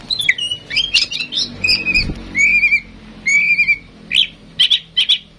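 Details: Oriental magpie-robin, a tame female in strong song, used to draw song from other birds: busy chirps and sharp notes, then long slurred whistles, ending in three spaced bright chattering bursts.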